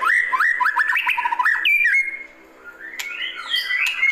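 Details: Classic calling song of a White-rumped shama: quick looping whistled notes and slurs, then a sustained level whistle that fades, followed by rising sweeps and sharp clicks.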